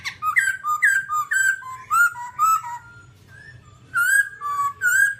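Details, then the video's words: A babbler sings a lively mix of short whistled notes, alternately rising and falling, in quick bursts with a short quiet gap in the middle. "birds Timaliidae singing"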